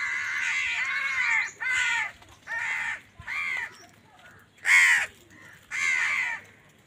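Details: Crows fighting for food give loud, harsh caws: six drawn-out, hoarse calls, each about half a second long, spaced roughly one second apart, with faint chatter between them.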